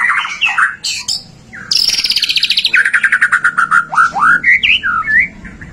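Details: Song of a White-rumped shama used to spur other shamas to sing: varied whistles, a high rapid trill dropping into a lower pulsing series, then bright swooping whistled notes.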